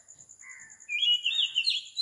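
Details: Oriental magpie-robin recorded at 4 am in Sri Lanka: a soft low whistle, then a louder rising warbled phrase, over a steady high insect pulse.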